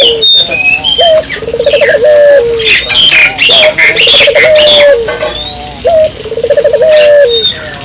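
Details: Barbary dove (burung puter) in gacor, vigorous calling style, used as a lure to get local doves calling: low coos with a rapid stuttering trill and long steady note, phrase repeated twice, under busy high chirps and whistles of other birds.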